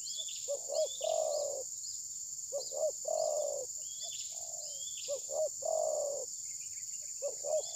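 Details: Decoy spotted dove during trapping, not attacking the rival bird and perhaps in moult, phone-recorded: several low cooing phrases, each two quick throbbing notes followed by a drawn-out purring coo, with constant insect buzz and thin high twitters behind.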